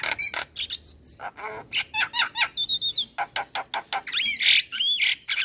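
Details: Male black-winged starling singing a full song, used to train young starlings: harsh broadband squawks alternating with clear whistled notes, some rising and wavering, plus a rapid string of high repeated notes, delivered in quick bursts.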